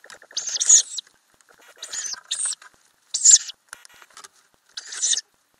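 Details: Ural owl adults and growing owlets in a nest box, recorded inside the box during three weeks of May 2020; loud breathy hisses with a buzzy undertone, about every second, some doubled, with soft scratching.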